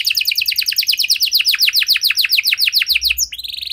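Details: Canary singing to coax other canaries into song: a steady series of fast downslurred notes, ending with a brief buzzy trill.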